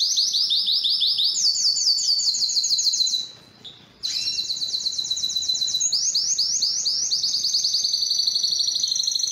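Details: Canary singing strongly and at length to attract females for mating and breeding; loud continuous high trills and rapid repeated notes in shifting tours, a brief pause near the middle, then fast rolling trills resume.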